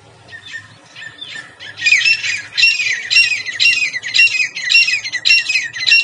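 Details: Grey francolin (Francolinus pondicerianus) in its habitat in India gives loud, harsh, shrill call phrases about twice a second after a quieter start, with fainter chatter beneath.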